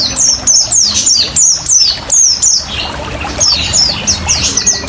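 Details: Oriental white-eye singing in 'ngriwik ngalas' style over trickling water, a recording for luring and conditioning caged birds: loud bursts of high, thin, falling notes in quick groups, a brief lull midway, then softer twittering resumes.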